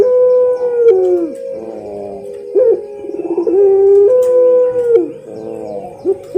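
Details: Champion puter pelung dove. Long, steady low coos alternate with stuttering, pulsed rolls, repeated twice in a rhythmic master song.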